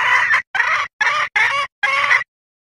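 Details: Hen red junglefowl asking to mate, played as a hunting lure: five rough, raspy cackling notes, each under half a second, separated by short gaps, with no other sounds.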